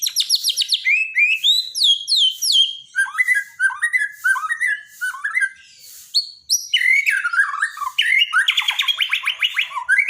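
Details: White-rumped shama from Borneo as daily training song for birds that no longer sing: a continuous, varied stream of sharp whistles, falling and rising slurs and chattering trills, dropping lower midway, then bursting into dense rattling phrases.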